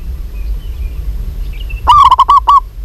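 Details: Local zebra dove, a female calling a male: one short burst of about six quick, clipped coos near the end, each note with a slight upward hook, after near silence with low background hum.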